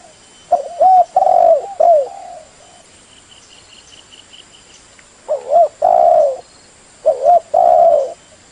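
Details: Spotted dove calling, used for luring birds: low, soft coos in two bursts of three to four notes each, the last note of each burst longer and fuller, with a gap of silence between the bursts and a faint high steady tone throughout.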